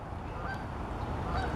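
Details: A couple of geese flying over woods around 11 a.m. on 4 April 2026 give distant honking calls, heard through a low rumble of background noise.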